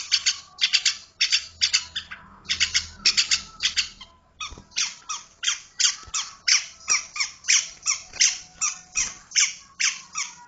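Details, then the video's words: Long-tailed shrike chattering in rapid, harsh, scratchy notes, first in clustered bursts, then a steady run of evenly spaced rasping calls; faint low hum behind. "Suara burung pentet"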